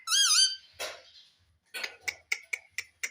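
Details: Pet green ringneck parrot indoors that talks, saying "mummy": one brief wavering harmonic utterance, then a rasp and a series of short sharp clicks roughly every quarter second.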